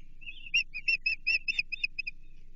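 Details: At a Chesapeake Osprey nest on 28 June 2023, during feeding on an American shad, an Osprey gives a short rising whistle then a quick string of bright repeated chirps, fading at the end.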